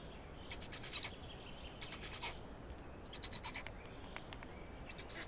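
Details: Black storks at feeding time in Estonia, 16 May 2019 at 12:47; faint high hissing, wheezy bursts come about once a second in groups, over a steady low background hum.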